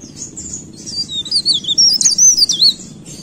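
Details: Leaf warbler in full, lively song. Its thin, very high trills rise and fall in quick twisting notes, growing louder midway, over a faint low background hum.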